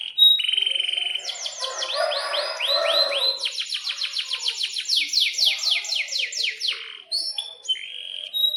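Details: Canary in full, energetic song used as a tutor for young birds: sharp chirps, then a long run of rapid repeated sweeping notes, each phrase rolled several times, bright and loud throughout.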